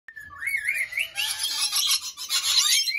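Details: In the early morning in an aviary, lorikeets give a rising whistled note, then break into a dense, shrill chorus of overlapping screeches and chattering from many birds at once.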